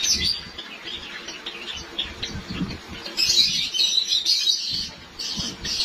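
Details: Caged white Java sparrows in Lahore about to begin breeding, giving a continuous stream of high chirps that grows louder and denser after three seconds, with thumping and knocking sounds underneath.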